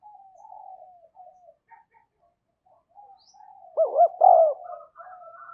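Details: Spotted dove kept as a decoy, cooing to draw in wild birds: quiet low coos, a pause, then a loud burst of three rounded, gulping notes followed by softer murmuring coos.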